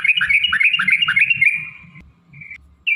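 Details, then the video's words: Sooty-headed bulbul in a fast chattering 'ropel' phrase: quick rolling whistled notes ending in a sustained buzzy tone, a short gap, then another brief buzzy note. "trucukan gacor TARUNG ROPEL PANJANG"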